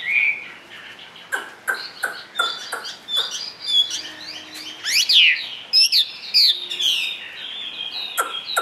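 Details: Caged Chinese hwamei sings from its perch among sharp clicks and knocks: scattered chirps, then a burst of steep whistled sweeps and quick trilled notes.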